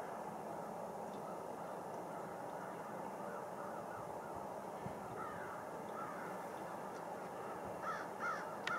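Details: Many blackbirds calling together on a Rush Lake island. Harsh, grating calls overlap into a steady roar. Short rising notes stand out in the middle, and a few sharper, clearer calls come near the end.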